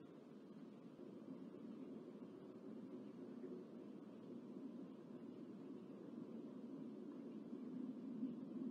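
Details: Steady low rumbling noise like wind or distant traffic, with no animal calls heard.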